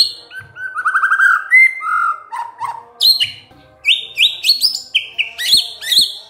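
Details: A white-rumped shama gives lure song meant to make quiet birds sing back: low trilled phrases and whistled slurs, then rapid high notes repeated in quick groups.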